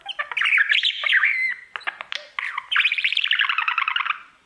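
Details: A male pet budgerigar sings to his reflection. Slurred whistles and clicks give way to a rapid, rattling trill of repeated notes that fades out.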